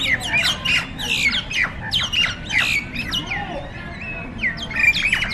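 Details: Fighting starlings (jalak nias) gang up on one another with strident squawks, nasal shrieks and sliding whistles. The calls come in uneven bursts throughout.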